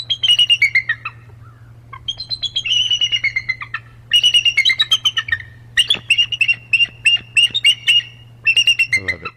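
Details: Bald eagles of a pair calling back and forth as they communicate: shrill, high, slightly falling piping notes in fast bursts of about six to ten, separated by short pauses, over a faint constant low hum.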